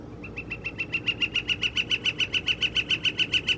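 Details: Northern flicker mating call recorded on April 17, 2021: a long, steady series of loud, evenly spaced wick notes, roughly four per second, building in volume, over a low background hum.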